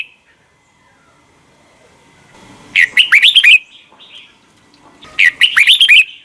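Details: Red-whiskered bulbul morning song for voice training, 'double note' wild style: near-silence, then two short bursts of rapid warbled whistles, each under a second, roughly two seconds apart.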